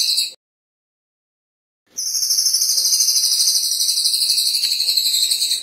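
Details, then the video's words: A Cililin, a master-song bird with a fast, tight, clear voice, gives a very high, fast, tight ringing trill, about three pulses a second, after a short opening burst and a pause. "Cililin ~ Speed Rapet Suara Jernih"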